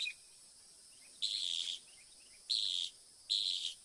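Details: Northern mockingbird song made of harsh, buzzy high bursts, each about half a second long, repeated three times at irregular intervals over a faint hiss.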